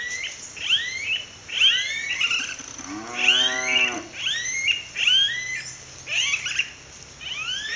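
Several smooth-billed anis give whining, rising whistles that overlap, about one or two each second. A brief low, nasal moan sounds once near the middle.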